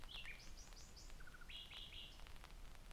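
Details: Common nightingale singing in rain in Dortmund-Aplerbeck, Germany, on 11 May 2021: clear whistled phrases of repeated rising-falling notes, a short run of low buzzy notes, then more repeated whistles over steady rain hiss.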